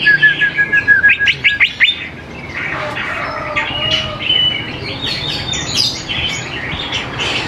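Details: A greater green leafbird sings in a recording meant to coax young birds into song. It opens with rapid sharp upward-flicked notes, then dense busy chattering and warbling phrases continue without a break.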